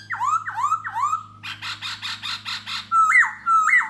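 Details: Laughingthrush, known as khướu da bò, singing and dancing to lure a female: three loud slurred whistles dropping then rising, a buzzy pulsed stretch, then two high level whistles ending in upward flicks, over a low steady hum.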